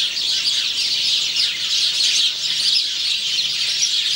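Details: Male House sparrow singing, recorded 17 November 2009; a dense, unbroken stream of bright, overlapping chirps fills all four seconds at a steady loudness, with no pauses between notes.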